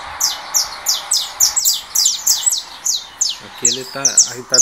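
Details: Russo-type saffron finch just out of molt, dueling with a recorded canary on a second phone: quick bursts of sharp, high descending chirps in steady succession, with a man's voice talking near the end.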